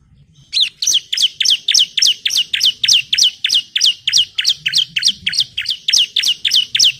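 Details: Female bar-winged prinia calling the male, played as a lure to provoke singing: a long, loud, even series of around twenty sharp descending chirps, roughly three per second, over faint low background rumble.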